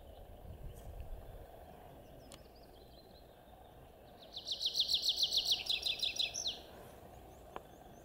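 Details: A pipit sings a quick, even trill of high, sharp, downslurred notes over a low background rumble, recorded in May 2020.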